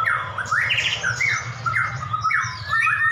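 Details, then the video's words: White-rumped shamas, two champion caged birds, dueling and described as raging; rapid chains of loud whistled, slurred phrases, harsh and varied, following one another, with a low background hum. "Duel Murai Batu Jawara"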